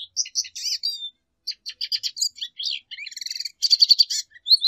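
A lesser goldfinch sings a fast, jumbled run of high twitters, buzzy trills and thin whistled slurs, with barely a pause between phrases.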